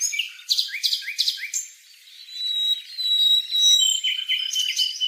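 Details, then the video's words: Taiwan barwing calling: a run of short, sharp rising chirps about twice a second, a pause, then a long thin level whistle followed by more bright chirping notes, with faint background bird twitter. "Burung Formosan Barwing"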